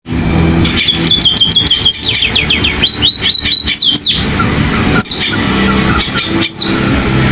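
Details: Munia, locally called pipit or emprit, singing in a canary-like style: rapid high twittering trills, sweeping whistled slurs and repeated buzzy notes, loud and continuous over a low background hum.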